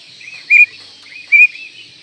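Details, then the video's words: Oriental magpie-robin, called kacer, in masteran tutor song: two short, clear, level whistles spaced under a second apart over faint background hiss. "Masteran Kacer Manjur"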